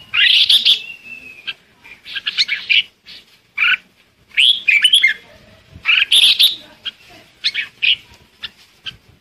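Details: Flock-calling Red-whiskered bulbul giving rapid, lively chirps and warbled notes in quick clusters, one phrase ending in a drawn-out whistle, with short pauses between bursts.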